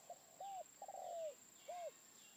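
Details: Faint, distant spotted dove call: several arched, hollow coos including one longer drawn-out note that falls away at the end, over a steady hiss and a thin high tone.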